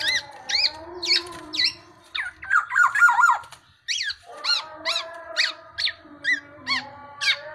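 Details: Tame, actively singing Black-naped oriole producing sharp, upswept squawks spaced roughly half a second apart, with a brief cluster of warbled whistles, over a steady low tonal hum.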